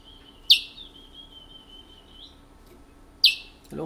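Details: Picolette from French Guiana, a caged bird held since 1986, singing in the local Matiti regional style: two sharp falling notes three seconds apart, joined by a long, thin, steady whistle, with a low thud at the end.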